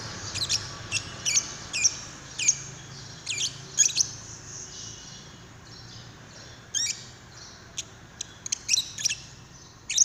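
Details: Lovebird call labelled paud, used to get another lovebird singing; spaced sharp high squeaks early on, a quiet stretch, then scattered shrill chirps again.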